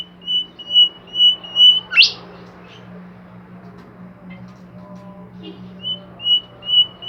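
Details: A Bimoli bird sings actively with four steady, level whistles, then a sharp rising sweep, a pause filled by low humming, and a fresh series of level whistled notes.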